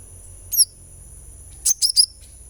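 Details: Sunbird, therapy sound meant to get the bird singing: a few short, very high sharp chirps, one single then a quick burst of three, over a steady high electronic whine.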